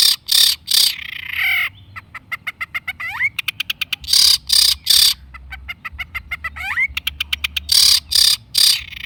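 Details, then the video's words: Long-tailed shrike singing continuously as a lure for shrikes: loud harsh rasping bursts alternate with fast ticking trills and a short rising whistle, in a repeated pattern. "kicau cendet gacor pancingan cendet stres macet bunyi JADIKAN cendet NYAUT GACOR"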